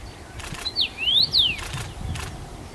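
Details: Common rosefinch, first-summer male singing in Bazel, Belgium, June 2015: one whistled phrase of a short note, a drop, a rising glide and a falling whistle, framed by soft wing-flap or rustling bursts.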